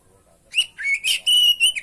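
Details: Kacer, the oriental magpie-robin, in lively song for training other birds: a run of clear, high, sustained whistles linked by short slurred notes, some rising, with a long steady whistle near the end.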